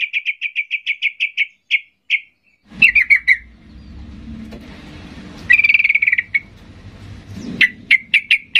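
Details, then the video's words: Fired-up yellow-vented bulbul calling to coax silent bulbuls to respond: a quick even series of clear sharp notes, silence, a short chattering burst, a longer pause, then more bright chatter and closing sharp notes. "Macam macam Trucukan gacor ngamuk memancing trucuk diam Bisa bisa Nyaut Emosi tinggi"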